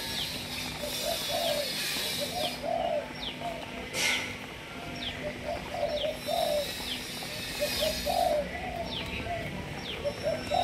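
Spotted dove giving soft, low, rolling coos in short phrases, repeated every two seconds or so, with thin high downslurred chirps from other small birds.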